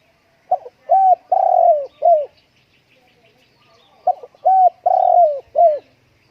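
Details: Spotted dove kept indoors on a windy day, giving two matching cooing phrases about three and a half seconds apart, each a clipped note followed by an arched coo, a long sliding coo and a short closing coo.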